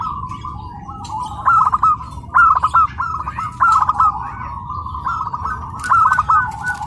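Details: Tame local zebra dove at a bird contest, giving repeated rolling cooing phrases around one kilohertz, several in a row with short gaps, over a steady low crowd hum.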